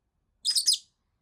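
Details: A rosy-faced lovebird, ignored for over a week, scolds in a lone harsh screech of three rough, buzzy pulses; nothing else heard.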